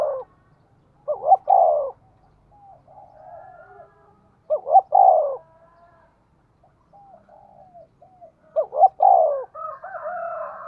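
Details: Spotted dove kept as a lure for wild birds, giving three spaced coo phrases, each a quick pair of notes ending in a fuller held coo, with soft high warbles between.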